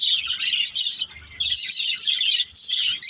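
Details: Several pet budgerigars in a family group chirping together: a dense, continuous chatter of bright high warbles and short chirps, overlapping without pause, with a brief dip in loudness near the middle.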